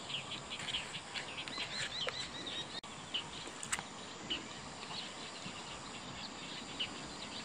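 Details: Bull-headed shrikes, female and male, exchanging territorial-dispute calls among goldenrod in an autumn field: short, sharp chirping notes in irregular bursts, about one or two a second, over a steady high insect hum.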